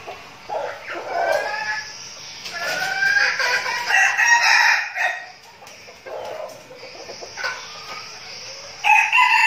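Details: Several red junglefowl kept as decoys, practising crowing ahead of forest outings in Bình Phước, Vietnam. Overlapping ragged crows fill the middle seconds, and a fresh crow bursts in at the end.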